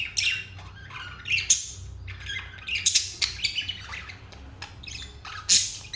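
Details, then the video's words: Happy pet budgerigars, turquoise and jade, trading harsh squawks and scratchy chirps in loose bursts, with a quieter gap midway and a loud squawk near the end, low background hum. "Budgies happy moment"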